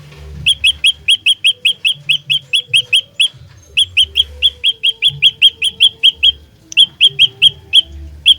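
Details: Olive-backed tailorbird used as a trapping lure and for fighting, giving a long series of sharp, high chip notes, about two or three per second, with brief pauses between bursts; low background hum.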